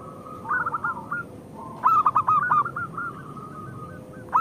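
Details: Local Zebra dove song meant to excite rival birds. Soft wavering coos give way to a brief loud stuttered phrase and a drawn-out rolling trill, with more doves audible faintly.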